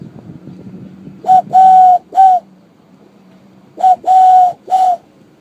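A dove gives two soft, hollow three-note coos, short-long-short, about two seconds apart, over a low background hum.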